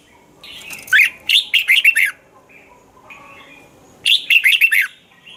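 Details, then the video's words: Song of a red-whiskered bulbul from Thailand, used to get caged birds singing. A lively run of five or six chirpy, slurred notes is followed after a pause by a second, shorter phrase. The background is quiet. "เสียงนกกรงหัวจุก สำหรับต่อ หรือ เปิดให้นกคึก เสียงเพราะๆ, นกกรงหัวจุก"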